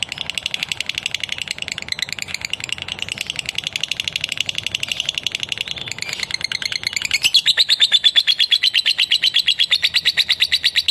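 A lovebird chatters non-stop in a fast, scratchy twitter that rises into a shriller rapid trill.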